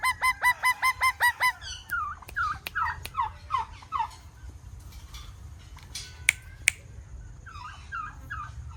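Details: Alexandrine parrot chirping: a rapid series of about nine evenly spaced harsh calls, then looser descending squawks and a few sharp clicks, with more calls near the end.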